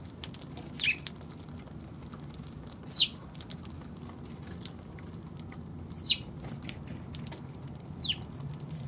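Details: Eurasian tree sparrow calling on 16 March: four short, sharp descending chirps spaced about two to three seconds apart over a steady low rumble of background noise.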